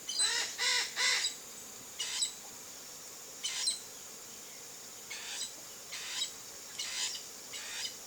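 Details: Wild chestnut-eared aracari in a backyard in the Cerrado of Brazil. A quick triple of rasping, harmonic-rich squawks opens the sequence, followed by spaced single harsh notes roughly every second, fading slightly, over a constant high insect-like hiss.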